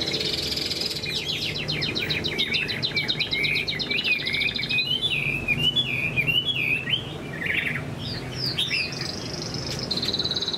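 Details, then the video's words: Big Chinese hwamei in moult singing loudly: dense rattling trills give way to a rolling series of looping whistled notes, then sharp upward flicks and a sustained high buzzy phrase, with low hum behind. "Chim họa mi đang thay lông, bộ to đẹp, hót cao cầu"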